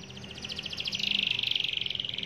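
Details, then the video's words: Canary chirping as a lure song (pancingan) to get other canaries singing eagerly: a fast, buzzy trill of tiny repeated notes that swells in loudness and holds steady, with faint low background hum. "CUIT CUIT BUNYI PANCINGAN KENARI AGAR GACOR"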